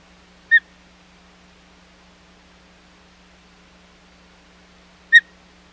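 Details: Two brief high chirps from an osprey at the Hog Island nest on 25 July 2020, during a failed second fish delivery, spaced about four and a half seconds apart over low background hum.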